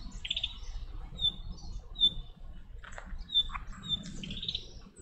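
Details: Chestnut-cheeked starling in the chick-rearing season giving sharp, high, short squeaks spaced irregularly, with a couple of quick rising chirps and brief clicks between them, against soft low rumble.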